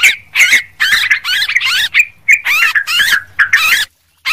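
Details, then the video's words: Sooty-headed bulbul lure recording of noisy calls: bursts of bubbly, warbling notes rising and falling around the upper-middle range, separated by short gaps, ending in a brief silence. "suara pikat burung trucuk ribut"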